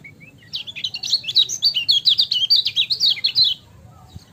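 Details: Lemon-bellied white-eye (kecial kuning) singing a training-style ciak song: a rapid, high-pitched twittering run of short sweeping notes lasting about three seconds, with a faint low hum underneath.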